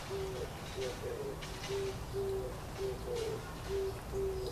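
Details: An Oriental turtle dove calling from a tree in Kyoto Gyoen in May 2014 gives a series of soft, low, hollow coos, short notes about half a second apart, over a steady low rumble.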